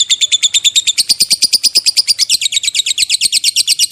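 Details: Lovebird performing the long ngekek trill, a fast rapid-fire run of harsh chattering notes, about seven per second, sustained without pause through the whole stretch, high and buzzy.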